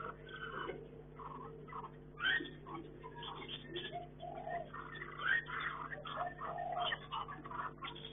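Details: Chinese hwamei kept for breeding in a hanging cage, giving a varied run of short whistled and chattering phrases at irregular intervals, with a steady low electrical hum throughout.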